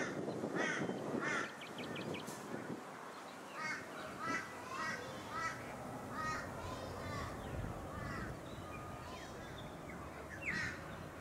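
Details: Plumed whistling-ducks on the Sunshine Coast, Queensland, in August: scattered thin whistled notes, some in quick trilled runs, over heavy rumbling background noise.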